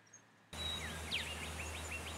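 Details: Rainbow bee-eaters (Merops ornatus) at nesting burrows in Upper Colo or Cornwallis, NSW, Australia, in the November–December 2017 breeding season give a string of short, high chirps, some rising, some falling, over low hum and broad hiss.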